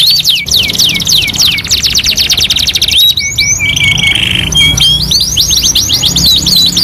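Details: Domestic canary song from a two-in-one tutoring recording: fast descending trilled notes, a brief break near three seconds, then a steady buzzy flat note before bright rising whistles resume.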